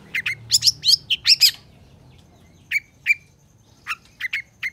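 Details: Long-tailed shrike singing for shrike training: a fast burst of harsh, chattering notes, then a pause before spaced sharp downslurred whistles and short chips.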